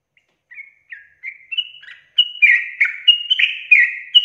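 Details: Sooty-headed bulbul in a long gacor 'ropel' song used as a lure for other bulbuls. Quiet, spaced single whistles build into a dense, loud run of bubbling, slurred notes in the final two seconds.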